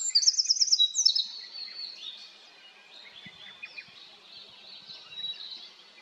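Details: Eurasian wren singing on the plateau: opens with a loud, very high rapid trill of repeated notes, followed by quieter, more distant thin twittering phrases for several seconds.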